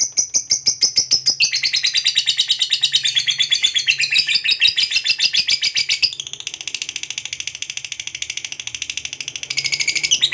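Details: Lovebird singing a long ngekek trill, used to stimulate other lovebirds to sing: a dense, rapid chattering trill of high buzzy notes, continuous for about ten seconds, shifting pitch partway through with no pause.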